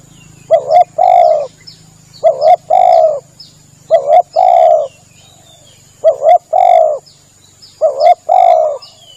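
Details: Lure recording of a spotted dove for hunting, meant to pull distant doves in. Five cooing phrases about every two seconds: a quick doubled coo, then a longer drawn-out croo. Faint high chirps sit in the background.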